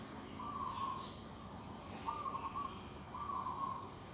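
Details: Birds calling in an organic garden on a December morning, 2021: three evenly spaced, sustained mid-pitched whistled notes, each slightly wavering and about half a second long, over gentle hiss.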